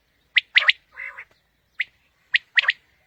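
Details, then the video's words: Quail used as a morning hunting lure: a crisp three-part phrase, a soft nasal buzzy call, then two more sharp phrases of a single note followed by a quick double. "Batair ki new Awazay| Quail Calling 2020 | Batair Ki Awaz suba ki shikar Ki liye|Saaf Batair Ki Awaz"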